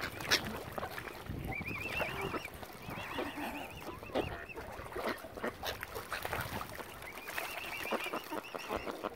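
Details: Hungry, angry mother swan on Lough Neagh, County Armagh, Northern Ireland, where algae has killed the usual food; runs of high, wavering trilled calls appear early and late amid steady splashing and rustling noise.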